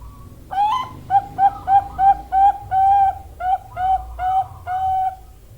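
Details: Song of a Bangkok-strain female zebra dove from Java, Indonesia: roughly eleven soft, whistled coos with a slight upward lilt, repeated about every third of a second, some notes stretched longer. A low background rumble runs underneath.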